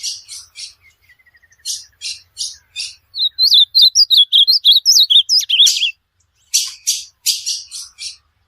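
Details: Ultramarine grosbeak song offered as training audio for a pet bird: a bright run of slurred, looping whistles at mid-high pitch in the middle, framed by short buzzy, scratchy bursts before and after.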